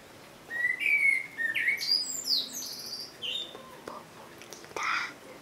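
A common blackbird sings a low, fluty whistled phrase that breaks into a high, squeaky twittering flourish, followed by a brief harsher note near the end.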